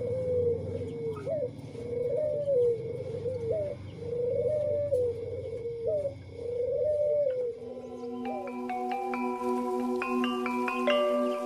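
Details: Tame spotted doves, one white and one normally coloured, give soft, mellow coos in phrases ending with an upturned note, repeated about every two seconds over a low rumble; then tinkling music takes over.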